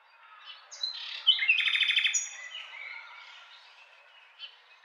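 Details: A little nightingale sings a short phrase: a few whistled notes leading to a loud, fast rattling series of repeated notes, then softer warbling that trails off with one last chirp.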